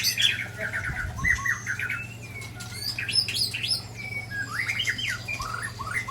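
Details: White-rumped shama from Ujong Pancu delivering rare 'isian' filler phrases: scattered, varied chirps and slurred whistles, mostly high, with a steady low electrical hum underneath.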